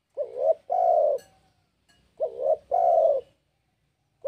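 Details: Breeding spotted dove challenging a rival: two mellow phrases, each opening with a quick rising-and-falling double note and ending in a long, even coo, with a third phrase just starting.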